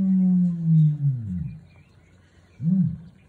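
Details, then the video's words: Male ostrich, Red/Blue type, booming early in the morning on a San Diego ostrich farm; a long deep resonant boom sliding downward over about one and a half seconds, then a short low hollow hoot after a pause. "Red/Blue Ostrich Rooster Early San Diego Booming."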